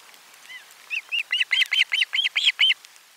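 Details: Osprey at a nest, 12 July 2022, fish brought for lunch at camera 4; a steady accelerating series of about ten evenly spaced, arched whistled notes rising in loudness.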